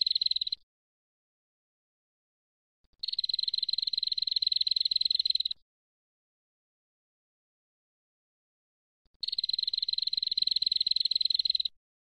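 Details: Male and female prinias calling together noisily, used as a lure call: rapid, dry, buzzy rattles, high-pitched and steady, in bursts of about two and a half seconds separated by several seconds of silence.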